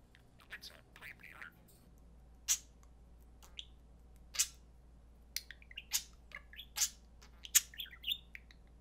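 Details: Two pet budgerigars at play, mimicking human speech among their calls: sharp scattered chirps and clicks, short buzzy warbled notes and a few speech-like murmurs spaced irregularly, with a steady low hum beneath.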